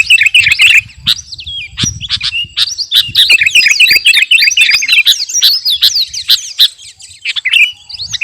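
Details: Sooty-headed bulbul of the kutilang garuda kind in eager, ready-for-battle song: continuous tumbling chatter of chirps and looping whistles over eight seconds, rapid and uneven, with a faint low rumble early on.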